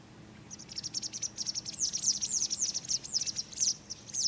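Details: Citrine wagtail calling: a rapid, uneven run of thin, very high chirps, each sliding downward, roughly two per second and rising in loudness toward the middle, over a quiet background.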